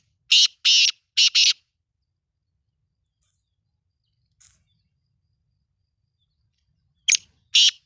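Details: Sindhi black francolin (kala teetar) calling: two pairs of loud, rasping, scratchy notes open the clip, then a long silence broken by one faint note, and a final pair of harsh bursts at the end.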